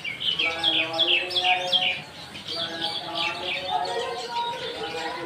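A songbird delivers quick, high chirping phrases with short downward-sweeping notes, several each second, over a lower humming, voice-like murmur.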